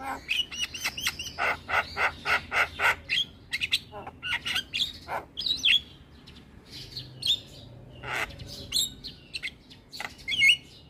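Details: Starling singing as a lure to make other starlings sing and bob; a regular train of harsh clicks at first, then scattered squeaky whistles and chirps with some faint background noise.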